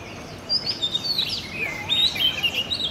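An Oriental magpie-robin sings a quick run of varied, clear whistled phrases, rising and falling, with faint background noise.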